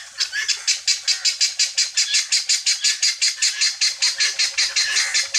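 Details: Helmeted guineafowl feed on free range while one keeps up a harsh, rasping call. It is repeated in a steady, rapid series of nearly three notes a second, loud and even, with no other clear sounds.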